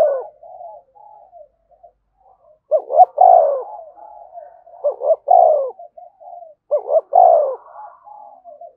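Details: Spotted dove cooing to stimulate a newly caught dove to coo: three loud phrases, each two short notes then a longer falling coo, roughly two seconds apart, with soft low warbling notes in between.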